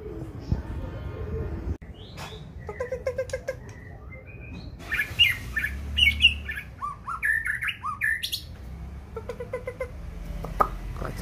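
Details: Mutant white-rumped shama singing: rich varied whistles and sharp chirps in quick bursts, some rising and falling notes, mixed with clicking and rattling noises and a man talking.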